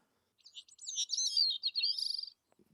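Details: Bicknell's thrush song, played on a birding walk in Maine's boreal forest: a thin, very high, twisting run of fluty, buzzy notes lasting about two seconds, likened to guitar strings popping, with a faint low thump just after.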